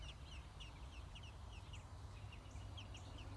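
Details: High, brief chirps from six-day-old American robin chicks being fed in their nest, evenly scattered and fairly soft, set against a persistent low-pitched rumble.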